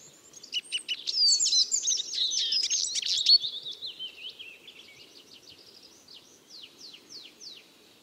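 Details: Eurasian siskin twittering in a dense, high jumble that slides downward, followed by a few fainter, spaced, falling whistled notes.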